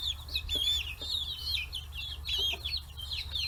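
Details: Forty-day-old chicks kept free-range in Hiroshima Prefecture, Japan, crowding fish heads; loud high trilling chirps run almost unbroken, several birds calling at once, light tapping and a low hum behind.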